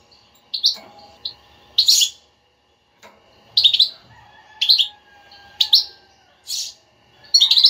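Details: European goldfinch بتبتة, an energetic babbling twitter meant to get a quiet goldfinch singing: about eight clusters of bright, ringing chirps spaced irregularly, plus a faint level tone in the middle.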